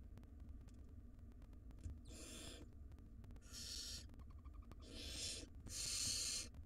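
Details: Nest-box barn owl nestlings, wild, begging during feeding by their mother; four harsh hissing screeches of about half a second to one second, growing louder, with faint clicks and low hum beneath.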